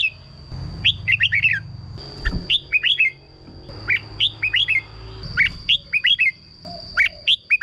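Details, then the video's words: Song of a red-whiskered bulbul kept caged, played to excite birds: phrases of four or five quick, clear, falling whistles repeated after short pauses, along with a low rumble and a steady thin high tone. "เสียงนกกรงหัวจุก สำหรับต่อ หรือ เปิดให้นกคึก เสียงเพราะๆ"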